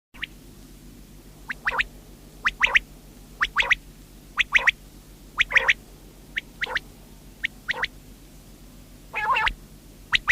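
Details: A common quail sings short, sharp, clipped notes in quick groups of two or three, repeated about once a second over a low steady hum.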